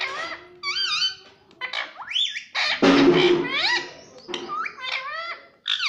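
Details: Pet ringneck parrot talking, said to call out 'mummy'; a run of harsh, harmonic sweeping syllables and rising whistled notes, with a rough speech-like burst around the middle and short pauses between phrases.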